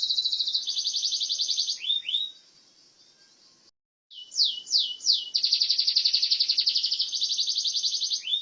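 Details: Canary of the kenari burja type singing long, fast rolling high trills broken by a few downslurred notes, then a brief silence before the trilling resumes strongly.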